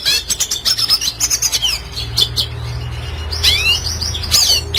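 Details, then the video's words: Lively red siskin song in classic style, recorded as a master for training songbirds: quick bright chirps repeated in a rhythmic run, then a descending swept trill and buzzy twitter, with faint low hum beneath. "Red Siskin Klasik Gacor Cocok Untuk Masteran Burung Bahan Agar Cepat Bunyi"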